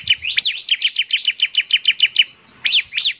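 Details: Bar-winged prinia in spirited song: a fast string of high, sharply falling chirps, tightly packed, pausing briefly before two final notes.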